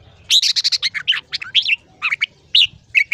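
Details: Morning 'ché' song of a red-whiskered bulbul, played to train young birds toward long phrases: a fast run of sharp whistled notes, then a few looping warbled phrases separated by short gaps.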